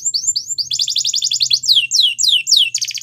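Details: Canary training song by a Belgian canary: upslurred whistles leading into a rapid dense trill, followed by long sweeping downslurred notes and a final buzzy burst, with faint low hum.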